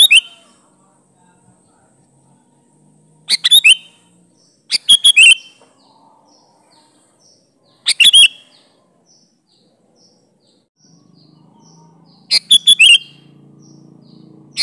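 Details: Sooty-headed bulbul song in the full wild-phrase style, meant to draw bulbuls into responding: five separate short bubbly phrases spread irregularly, some a single burst and others three or four quick notes. A low hum joins near the end.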